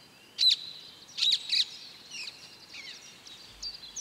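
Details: Wild mallard with her brood of ducklings: a few loud, high, thin peeps in quick pairs, then softer scattered high chirps and short downslurred whistles over quiet outdoor background noise.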